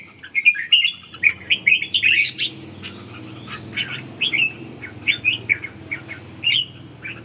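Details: During stamina recovery and ché training, a red-whiskered bulbul gives a quick string of chirpy whistled notes, busiest early on, then evenly spaced single chirps toward the end.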